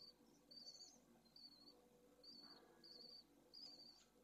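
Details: Nest 2 of pallid swifts in Jerez de la Frontera, two second-clutch chicks newly hatched amid high temperatures. Thin, level, high-pitched peeps sound about once every half second to second, spaced unevenly, over a soft low hum.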